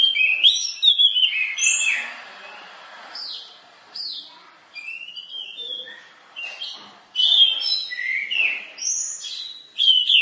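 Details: Orange-headed thrush (anis merah) in masteran style, varied song: bursts of bright whistled phrases and rising and falling slurred notes, broken by short pauses, with a faint lower note near the middle.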